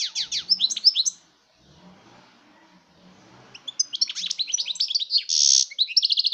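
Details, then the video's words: European goldfinch song, 2019: sharp twittered notes, a pause filled with soft low background murmur, then a lively jumble of chirps, a harsh buzzy rasp and fast trilled phrases. "chant chardonneret"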